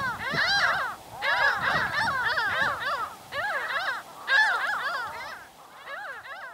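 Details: A common greenshank (Tringa nebularia) in the Axios Delta National Park, Thessaloniki, Greece, gives bursts of rapid, ringing, slurred notes, several overlapping, in runs of about a second with short pauses.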